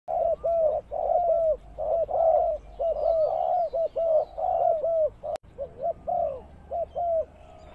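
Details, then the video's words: Spotted dove used as a ground lure bird for trapping, giving dense, rapid runs of low hollow coos, short notes and longer drawn ones, roughly one per second, with a sharp click midway. "Suara Tekukur Pikat"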